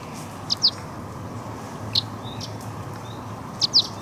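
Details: At the Walensee, Switzerland, fed crag martin nestlings utter brief high squeaky chirps in pairs, separated by pauses of over a second, against a low steady rumble.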